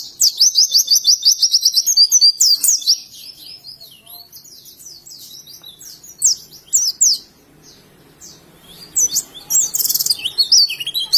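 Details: Oriental white-eye singing ngalas, Indonesia: a rapid rattling series of high chirps leads into a scratchy, varied warble, then scattered softer phrases and a final loud twittering flourish.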